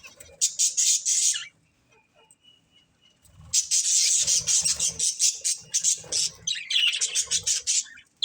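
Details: Budgerigars, a breeding pair, with a short burst of high chatter, a quiet pause, then a long run of rapid, scratchy chirping and warbling.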